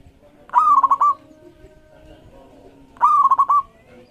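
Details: Local zebra dove singing to prompt others to answer: two matching trilled coo phrases about two and a half seconds apart, each a rising opening note and a fast run of bubbling pulses, over low rumbling background noise.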